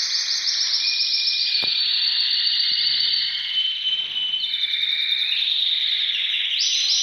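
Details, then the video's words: Canaries ready to breed sing a dense, unbroken song of very fast high rolling trills, one held tour after another, with a brief sharp tick partway through and overlapping whistled notes. "طيور الكناري كلها جاهزة للتناسل"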